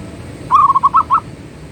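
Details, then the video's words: Perkutut, or zebra dove, in manggung song: a quick burst of six or seven mellow, rounded coos, the later notes slightly spaced and rising at the end, against faint low hum. "Suara Burung Perkutut Manggung || Zebra Dove"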